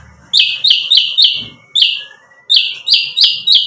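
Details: White-rumped shama song used as a provoking lure: loud, harsh, repeated chack notes about three per second with a thin whistle between bursts, low background rumble at the start.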